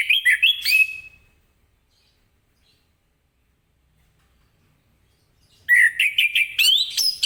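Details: Morning ngeplong song of an orange-headed thrush, meant to get other birds singing: a brief burst of rising whistles and chattering notes, long silence, then a renewed rapid run of varied whistled phrases.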